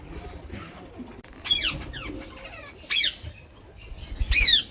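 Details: Rose-ringed parakeet eating mixed food gives harsh, grating screeches that drop sharply in pitch, coming in three separate bursts about one and a half seconds apart, the last loudest, over a low background rumble.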